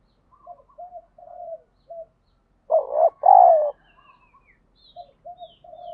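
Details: Spotted dove calling to provoke fighting while training a decoy bird; soft, repeated short coos from a second dove surround one loud two-part phrase of a wavering coo followed by a long, falling coo.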